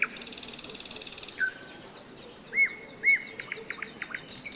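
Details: Nightingale song in May along the Seversky Donets during a hiking rest: an opening buzzy rattle, then a low whistle, two loud upslurred notes and a quick series of short clipped notes.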